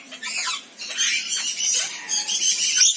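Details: Rainbow lorikeets keep up a harsh, hissing chatter with piercing screeches and a few down-slurred squeals, steady and busy throughout.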